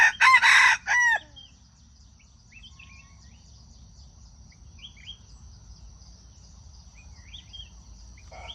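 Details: Loud crowing from a junglefowl, used as a trapping lure for wild chickens: a four-part crow opens with harsh broken syllables and a drawn-out falling close, then quiet twittering of small birds over a steady low hum.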